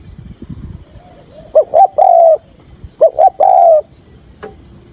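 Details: Decoy spotted dove's 'thúc gù' luring call for trapping: a soft low lead-in, then two phrases of two quick coos followed by a long even hoot, roughly forty phrases a minute.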